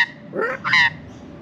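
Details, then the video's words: Australian magpie in Australia, perched at its usual feeding spot while being offered food, gives two short, harsh honking notes, the second higher and more ringing, after a person speaks. "I had a chat with Half Beak the Magpie!"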